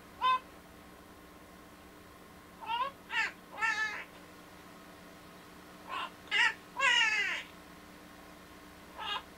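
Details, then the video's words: Pet Quaker parrot (monk parakeet) singing "Walk This Way": short squawky, harmonic bursts with falling and rising sweeps, in scattered groups of two to four with pauses between; quiet room, a person praises the bird afterward. "Quaker Parrot - WalkthisWay"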